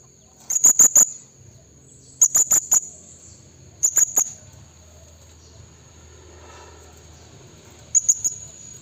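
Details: Blue-crowned hanging parrot call used as a lure to draw forest rivals: four bursts of three or four sharp, very high squeaky notes, spaced about one to four seconds apart, over a thin steady high hiss.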